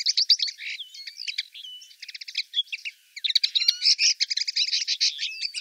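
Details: Song of a common linnet in Wittlich, 2018: a rapid twittering stream of chirps, buzzy rattles and thin upslurred whistles, briefly slowing mid-phrase before a loud, dense flurry of notes.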